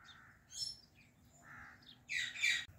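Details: Female Indian ringneck parrot perched in a fully bloomed apple tree: soft mid-pitched chirps, then a loud, harsh, broad screech near the end.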